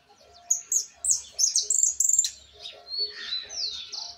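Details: A young Argentine white jilguero tries out its still-unpolished song: quick high chirps and a buzzy trill, then a few slurred whistles, over a faint low hum.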